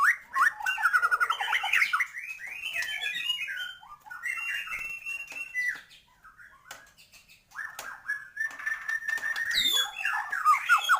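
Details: White-rumped shama singing at full force, a varied song meant to excite other birds: long bouts of fast warbled and whistled phrases, a quieter stretch with scattered notes, then a renewed burst of bright trilled song.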